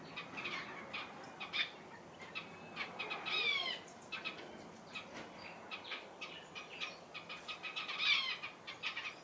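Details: Red-capped Robins feeding newly hatched chicks: soft, dry ticking notes scattered irregularly, with a few thin, high chirps in between, quiet and close.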